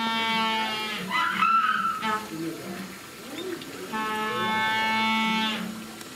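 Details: A captive Humboldt penguin at Suzaka Zoo, Nagano, Japan, on 3 November 2018 gives loud, harsh, donkey-like brays: long nasal notes with rapid pulsing, in two bursts several seconds apart, over a faint background murmur.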